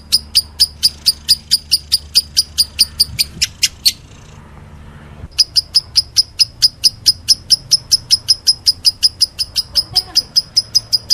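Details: Lovebird, described as meloloh, giving steady sharp high chirps, pausing briefly for about a second, then resuming the same brisk even series.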